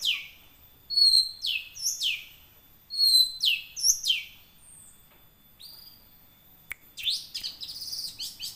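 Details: Young wild long-tailed shrike singing, used to coax caged birds to sing; scratchy downward-sliding notes mixed with brief whistled tones in spaced phrases, ending in rapid rough chatter and a sharp click.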